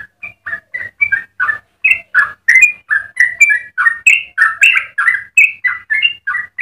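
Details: Yellow-vented bulbul delivering a long, energetic melodious song for tutoring and provoking other bulbuls: starts with scattered notes, then builds into a quick, dense series of liquid, warbling chirps of varying pitch.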